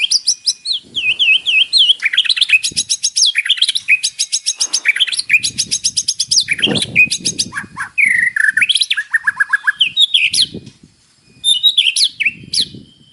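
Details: White-rumped shama belting an isian-packed morning song meant to trigger captive birds; dense rattling trills, sweeping whistles and fast stuttered notes, with faint low rumbling behind.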